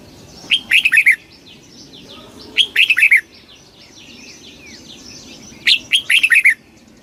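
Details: Red-whiskered bulbul singing rapid 'kích bổi' phrases, each a brisk string of four or five bubbly, downslurred chirps, repeated about every two and a half seconds over faint distant twittering.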